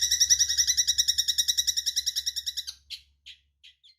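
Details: Eurasian tree sparrow serving as a tutor recording for songbirds: a fast, rattling run of high, ringing notes fading out, then a few scattered, short, harsh chirps.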